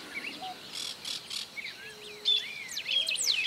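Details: Golden-billed saltator in Esperanza, Argentina, 2019, singing strong, clear, varied whistles that rise and fall, amid other overlapping bird chirps and a buzzy insect pulsing early on.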